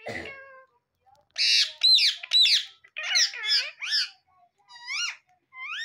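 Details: Pet talking parrot: a rough squawk opens, followed by a run of high, swooping, voice-like syllables and two rising talking notes at the end.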